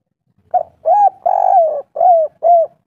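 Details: Local spotted dove singing in the three-note 'kuk 3' style with a thick, full voice: a short run of low, mellow, hollow coos, the middle notes longer and drawn out, in an otherwise quiet setting.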